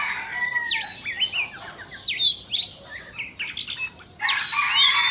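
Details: Singing during a tail-fanning dance, an Indonesian Oriental magpie-robin delivers quick looping whistles, upward-sweeping notes and clipped chirps, with a loud scratchy flourish near the end.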